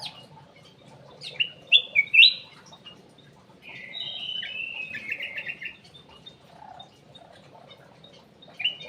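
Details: Lure song of a ruby-throated bulbul (kutilang emas) kept in an aviary. Sharp, bright whistled notes come first, then a long, buzzy, trilled phrase that drifts downward, and a short whistle closes the passage.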